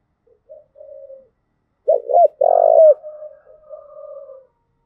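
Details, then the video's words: Spotted dove, Đồng Nai, Vietnam, cooing in the 'cu thúc gù' style used to rouse and train decoy birds: faint low coos, then two abrupt looping notes and a strong long coo trailing into softer, drawn-out murmurs. "tiếng cu thúc gù hay"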